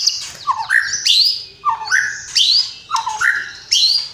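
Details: White-rumped shama singing vigorously, showing off a rich fill-in repertoire with full 'tembakan' bursts: loud phrases that pair a downward-sweeping whistle with a rising high whistle, repeated about every second, over a quiet low hum.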